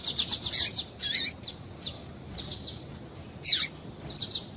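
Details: Double-collared seedeater female calling to excite males: a rapid run of thin, high chirps at the start, a buzzy note, scattered softer chirps, and a louder downward-sliding note, all quick and high-pitched.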